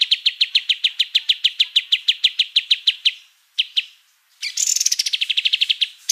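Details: Kapas tembak white-eye singing as a vocal tutor: a steady series of evenly spaced high chips for three seconds, a couple of lone notes, then a fast, higher buzzy trill.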